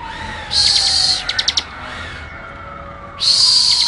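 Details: Bar-winged Prinia (ciblek) producing harsh, high buzzy bursts with a few quick separate clicks between them, over a faint lower whistle-like tone.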